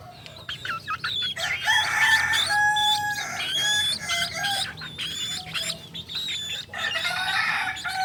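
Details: Native Solok Kukuak Balenggek chicken, a singing breed with a multi-level crow heard especially at dawn. Repeated harmonic crow phrases step up and down in tiers across the clip, mixed with sharp chirps of small birds.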